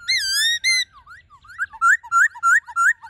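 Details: Forest song of a Black-throated laughingthrush, played to call wild birds and train young birds. It opens with two long, wavering whistles, then goes into quick rising notes repeated about three times a second.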